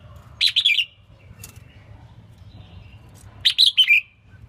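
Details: Selected female red-whiskered bulbul singing to spur males on; two quick bubbly phrases of three to four clear warbled notes each, separated by about three seconds of quiet hum.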